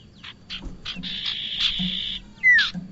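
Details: Bar-winged prinia calls for luring birds: a few spaced buzzy chips lead into a sustained rasping buzz, ending with a loud clear downward whistle and a final buzzy note.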